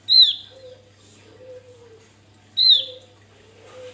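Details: A Javan grey-throated white-eye (Heleia javanica) in full song, used as a lure, gives two loud, sharp downslurred whistles about two and a half seconds apart, over faint low hum and a soft distant tone.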